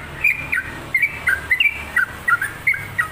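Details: Lively, energetic sooty-headed bulbul singing short bubbly whistled notes with down-up slurs, evenly paced groups over three seconds, light background hum.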